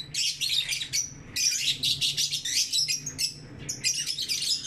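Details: Lovebirds in the morning, kept as pets, chirping in dense bursts of high, harsh twittering notes, several overlapping phrases separated by brief pauses; faint low hum in the background.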